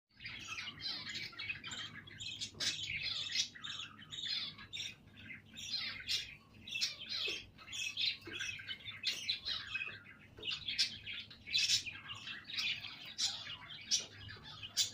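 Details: Budgerigars, a baby budgie with chicks, chirp and chatter continuously in high, scratchy, overlapping twitters.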